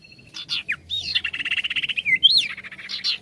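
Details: Vigorous sirtu bird song in trill style: a few bright whistles, then a fast buzzy rattle of rapid repeated notes lasting over a second, ending in a rising whistled sweep and more quick notes.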